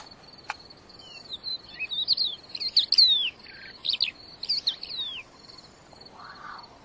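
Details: Wild-caught crested lark in energetic song, delivering a steady high whistled tone under a run of swooping, warbling notes, with one sharp click near the start.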